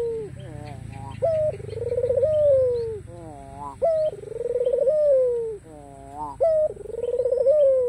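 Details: Vocal white ringneck dove with black collar, calling so rivals will answer: a steady series of four rolling coos, each an abrupt higher note then a long, pulsing, gradually descending purr, roughly every two and a half seconds.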